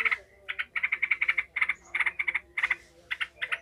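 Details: Yellow-vented bulbul in harsh, agitated, emotional chatter, quick clusters of clipped, buzzy notes, a new burst about every half second, nothing else audible; used to provoke and train other bulbuls to fight.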